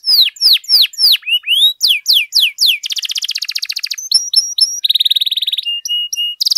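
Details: Long-duration canary song meant for training and luring other canaries: quick falling whistles give way to a dry rattling trill, then clipped chips and a steady buzzing roll, all high-pitched.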